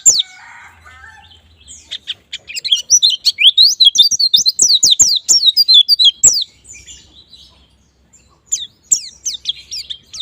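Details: White-eye used as a lure to prompt other birds to sing in 'ngalas' and 'nembak' styles; high, rapid twittering of thin sliding chirps and trills after a brief lower buzzy note, with a quiet gap before chirping resumes.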